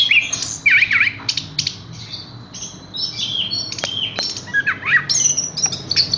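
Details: Horsfield's bush lark delivers a varied medley of looping whistles, clicks and high buzzy notes in quick succession.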